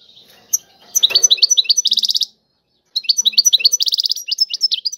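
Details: European goldfinch singing in the tiwawati style: two phrases of fast, liquid twittering, each with a dense rattling trill, separated by a short silence after a soft opening.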